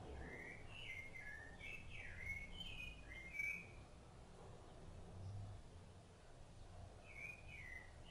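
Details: Rufous-bellied thrush, an adult feeding its young, gives a burst of slurred whistled phrases, then falls quiet before one more short phrase near the end. Low background rumble throughout.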